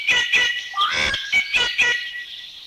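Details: Rufous Treepie recorded in Thailand: about six harsh, rasping broadband bursts mixed with ringing, metallic tonal notes. A short rising note runs into a grating burst near the middle, and the series fades at the end.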